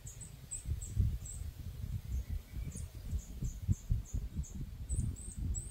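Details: Hungry Eurasian nuthatch nestlings at Žale cemetery, Ljubljana, on 12 May 2024 give thin, very high, rapidly repeated squeaks, several a second, over a steady low rumble of distant traffic.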